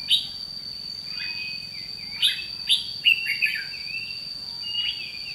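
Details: Caged decoy red-whiskered bulbul in a trapping session, 30 May 2016, singing a challenge: loud sharp chirps, then a run of quick warbled phrases, over a continuous high-pitched insect drone.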